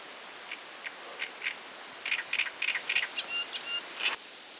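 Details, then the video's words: Singing great reed warbler (Acrocephalus arundinaceus) gives a run of short, grating notes, several a second, ending in a burst of higher, squeaky phrases. "Lacar mare cantand - Singing Great Reed Warbler"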